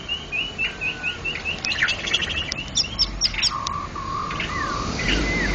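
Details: White-rumped shama, a national champion contest bird, singing in ngeplong style: a row of short repeated whistles, then rapid chips and sharp notes, followed by steady flat whistles and a rising slurred note, with low rumbling background.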